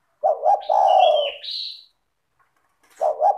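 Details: Spotted dove recorded as a lure to set other spotted doves calling, its song dense, melodious and clear: two short coos and a long throaty coo, with a high whistled phrase above and a fresh coo starting near the end.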